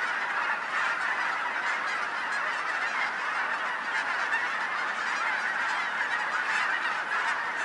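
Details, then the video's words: Huge Colorado goose flock, a few blocks from a house, producing a continuous blended roar of honking calls, countless birds overlapping so densely that the sound stays level and unbroken. "Gazzillions of Geese"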